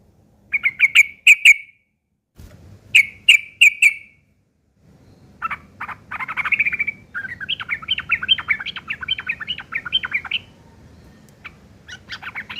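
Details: Harsh ngeriwik chattering of a sooty-headed bulbul, used to teach long-tailed shrikes: two sets of four crisp clicking chirps, then a long, rapid, buzzy babbling run that fades into scattered notes.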